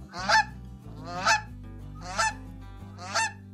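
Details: Goose honks, four rasping nasal calls in quick succession about a second apart, set against quiet background music; the bird may be a farm animal or a wild migrant.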